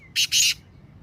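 A black francolin gives two quick, harsh, grating notes in close succession, the second longer and rasping, over a quiet background.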